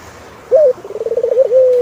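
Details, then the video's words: Single turtle dove phrase: a short upslurred note, a rapid run of trilled pulses, then a steady low drawn-out coo. "Sound of Turtlefove Collaboration is Chilling"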